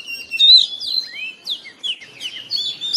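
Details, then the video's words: An Oriental magpie-robin sings in the morning, a quick sequence of clear whistles, curving slurred notes and sharp chirps, loudest at the opening. "TERAPI KACER BIKIN RAMAI OCEHAN DI PAGI HARI"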